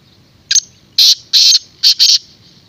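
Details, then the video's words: Black francolin giving a run of five harsh, rasping high notes, the middle ones longer and the last two short and clipped, against a quiet background. "Black teetar(francolin)sound | کالا تیتر کی آواز"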